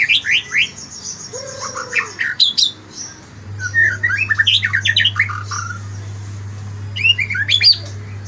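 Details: Varied morning song of a White-rumped shama: bursts of sharp, high whistles and chatters alternate with brief pauses, one lower slurred note, and a final flurry of rising whistles over a low steady hum.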